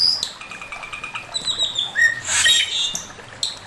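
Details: Singing male Chinese hwamei in master-song style: thin high whistles, a short rising note, then a dense burst of rich warbled phrases before trailing sharp notes.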